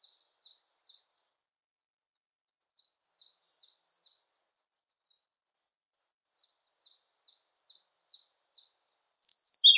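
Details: Siberian blue robin singing a long run of soft, thin, high chirps in loose groups, then thin, evenly spaced high ticks that speed up and end in a brief loud burst.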